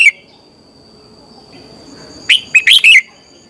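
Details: Morning song of a red-whiskered bulbul, used for training: a brief clipped note, a long quiet pause, then a quick phrase of four bright whistled notes near the end, over a faint constant high whine.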